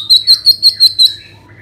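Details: Brief orange-headed thrush phrase from a lure recording for making birds sing: six high, clear whistled notes in quick even succession, then fading silence.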